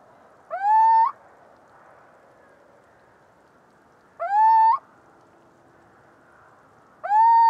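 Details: Little owl song: a clear, rising, slightly nasal hoot about half a second long, repeated every three seconds over a faint steady background hiss.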